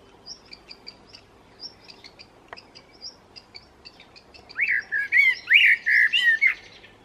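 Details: A blackbird delivers a loud, mellow warbled phrase of rich fluting notes rising and falling, near the end, after several seconds of faint, high, evenly spaced chips from another bird in the background.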